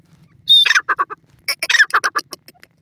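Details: Grey francolin calling: a sharp high whistled note followed by a run of about ten harsh, pulsed notes in quick succession, then a second burst of similar rasping notes, with a faint low hum underneath.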